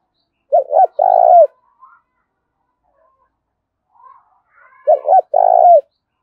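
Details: Two phrases of a spotted dove's aggressive contest call, thổ-đồng voice: each opens with two clipped low notes and ends in a long, firm coo; roughly four seconds separate them, with faint quiet noises between.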